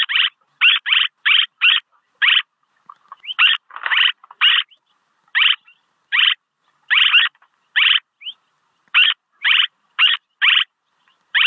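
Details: Swallow calls recorded for use as a decoy lure: harsh, buzzy chirps, each with a rasping, slightly rising stroke, come in rapid bursts of two or three with short silent gaps, continuing steadily with no other sounds.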